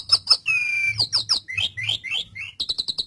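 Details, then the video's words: Asian pied starling, a pet bird, singing in a lively gacor style: a rapid run of varied notes, with sharp high chips, a sustained flat whistle, then descending slurred notes and a burst of quick clipped chips. "Masteran Suara Burung Jalak Suren Gacor"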